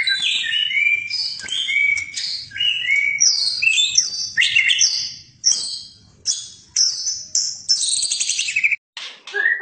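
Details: White-rumped shama 'fighter' singing in its fighting style: a dense string of high, varied notes, sharp chips, buzzy trills and clear whistles, briefly broken near the end.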